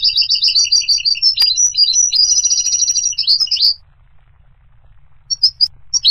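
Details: Goldfinch singing a long, fast stream of high, clear twittering notes with buzzy flourishes for nearly four seconds, then a few scattered chirps.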